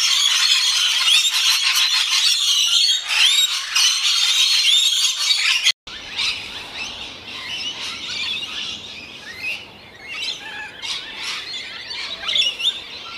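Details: Rainbow lorikeets, a parrot of Australia, calling at feeding time: a dense, continuous chatter of shrill screeches and squeals, loud for the first six seconds, then after a brief break quieter overlapping squawks continue.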